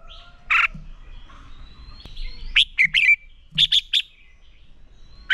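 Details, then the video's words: Red-whiskered bulbul giving a fighting song used for training. A harsh chirp is followed by a rising thin whistle, then two fast groups of loud, bright, clipped notes over quiet background twittering. "Chào Mào Hót Đấu Kích Bổi Lên Lửa"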